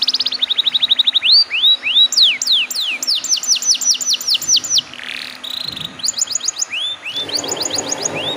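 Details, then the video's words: Young caged canary singing, used as a lure to make other canaries sing: quick series of repeated rising chirps, then looping upward-slurred whistles, buzzy rolls and trills over a faint steady hum and background hiss. "PANCINGAN KENARI BAHAN TERBARU"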